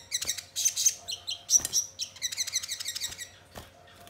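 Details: Bait song of a sogon to set birds singing: rapid, jumbled high chirps and twitters in quick runs, with occasional sharp clicks between phrases.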